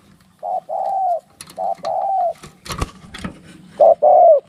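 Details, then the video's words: Drawn, level coos from spotted doves fighting, broken by sharp clicks and scuffling noises midway, then a loud double coo rising at the end. "เสียงนกเขาใหญ่ ต่อสู้กัน"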